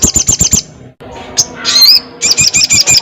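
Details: Crested jay calling a rival: a brisk pulsed rattle stops, a brief pause, a clear rising whistle, then the rapid rattle starts again.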